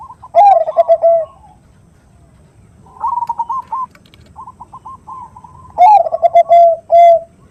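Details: Zebra dove (perkutut) female calling males, 'nutut' voice used as a lure: three bursts of quick, stuttering coos, loud at the start and end with softer trilled phrases between, separated by brief pauses.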